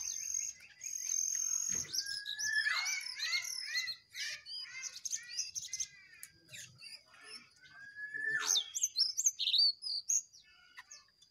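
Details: Wild jongkangan and two caged jongkangan singing against each other in a duel: dense, high chirping phrases with rapid sweeping notes, sharp rising whistles and a sustained high tone, several voices overlapping in bursts.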